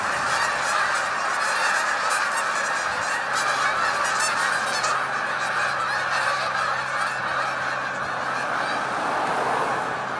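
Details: Several hundred Canada geese take flight at once; harsh stacked honks pile up into a loud, rolling clamour lasting throughout, over a faint steady low hum.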